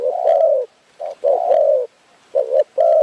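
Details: At a bird-trapping spot in Phrae, a Spotted Dove gives deep, mellow coos, each phrase opening with a short clipped note and running into a longer, steady coo, several phrases in quick succession.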